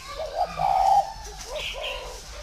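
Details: Single cooing phrase of a spotted dove kept in Ba Vì, Vietnam: a couple of quick lead-in notes then a steady, hoarse, mid-pitched coo lasting under half a second, followed by quieter fading notes.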